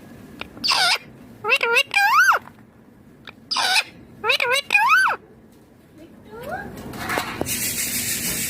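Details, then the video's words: Pet green Indian ringneck parakeet talking indoors: bursts of harsh, voice-like phrases with swooping rising and falling tones, grouped in three bouts separated by short pauses, then a hissy rustling noise at the end. "Indian ringneck green parrot talking clear sounds/voices"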